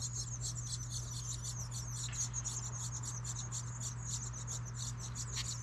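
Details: Nestling house wrens calling as they are fed in a birdhouse made from a recycled license plate, New England; a continuous stream of high, thin chirps, several each second, over a steady low electrical hum.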